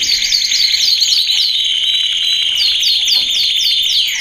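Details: Canary song used for training males: bright downward-slurred notes about three per second frame a long, even buzzing trill in the middle.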